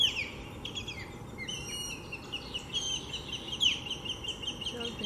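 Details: Osprey pair on a nest with three chicks in Lake Seminole Park, Seminole, Florida, calling while fending off an intruding osprey: repeated high, thin whistled and descending piping calls over a steady background hum.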